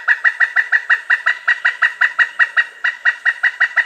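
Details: Loud, strong Pileated woodpecker call, given to communicate with a mate or keep other birds out of its territory: a steady run of sharp, ringing wuk notes repeated about five times a second, with one brief pause midway.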